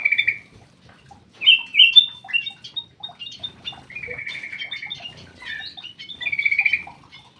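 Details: Caged black-crested bulbul in an aviary giving repeated trilled whistles and quick, bubbly chirping phrases, with short pauses between bursts of song.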